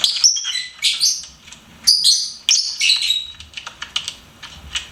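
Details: Pet lovebird chirping and singing: rapid shrill squeaks and thin whistled slurs in lively bursts, trailing off into softer ticking chatter toward the end.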